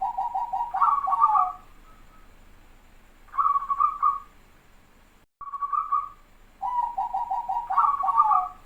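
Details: Captive local zebra dove with a dense, close-set voice, kept to lure wild doves: purring trilled coos rolling into a brighter rippling burst, repeated in phrases with short pauses, over faint background hiss.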